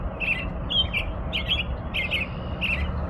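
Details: Song of an American robin: five warbled phrases, each a rich, slurred whistle lasting about a third of a second, separated by short pauses over a steady low hum.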